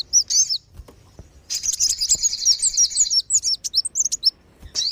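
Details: High sunbird lure sound, wulung and sogon kinds, for bringing wild birds down: a few chirps, then a fast buzzy twittering trill lasting nearly two seconds, followed by sharp squeaks.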